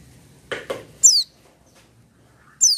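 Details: Two sharp knocks or clatters come first, then an oriental white-eye gives two high, quickly falling chirps about one and a half seconds apart; said to sing without supplements.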